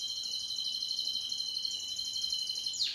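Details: Timbrado canary singing one sustained, rapid metallic trill held steadily for almost three seconds, ending in a quick downward slur.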